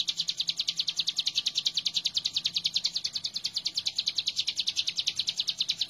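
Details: Hill prinia singing tirelessly, used to train caged birds: a continuous rapid chatter of high, bright chips at a steady pace throughout, with a faint low hum underneath.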